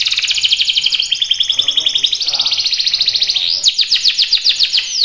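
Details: Canary in full song: a continuous, loud, rapid rolling trill at high pitch, shifting into a series of quick descending sweeps near the end.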